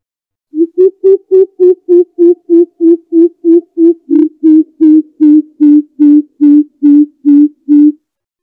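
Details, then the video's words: A greater coucal (Centropus sinensis), an old forest bird calling its flock, gives a long steady series of deep, hollow hoots, about three per second and over twenty in all, with no other sounds. "chim bìm bịp già rừng kêu gọi bầy"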